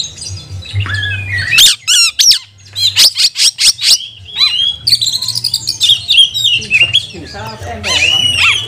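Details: Oriental magpie-robin giving provocative training song: varied whistles and harsh notes, then a fast series of sharp, loud downward-sweeping chips, followed by rapid chattering and slurred whistles, with a low background hum.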